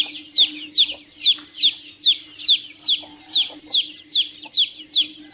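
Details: Young chickens give a run of about thirteen shrill descending peeps over five seconds, evenly spaced at roughly one every 0.4 seconds, over a low electrical-sounding hum.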